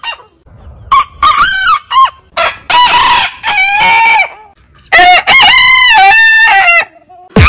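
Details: Domestic roosters from a heritage breed crowing compilation: overlapping crows in quick bursts, choppy stuttered syllables then longer wavering harmonic phrases, several birds calling one after another.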